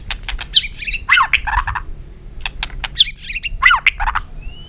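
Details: White-rumped shama singing repeated complex phrases of sharp clicks, tumbling warbles and slurred notes, two similar bursts about two seconds apart, ending with a faint high whistle.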